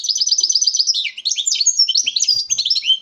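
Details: Male European goldfinch, bred in captivity, singing before a female; loud, fast, continuous twittering with rolling repeated notes and buzzy trills, high-pitched and unbroken.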